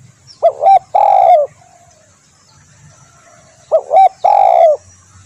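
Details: Spotted dove (tekukur) calling for use in bird luring: two complete phrases, each made of a quick double hiccuping note and then a drawn-out, falling coo, separated by a quiet gap of about two seconds.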